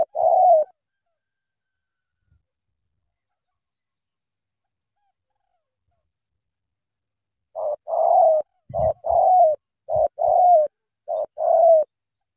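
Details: Spotted dove from Cà Mau, Vietnam, giving a loud "thổ tơ" song. One coo opens, then a long pause before a rapid series of paired hooting notes, short then longer, with a few dull thuds among them.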